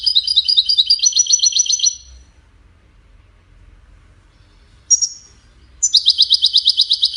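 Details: Goldfinch Widani song meant to teach chicks to sing: a rapid, rhythmic trill of high twitters for two seconds, a long pause, one short high note, then another fast, steady burst of chirps.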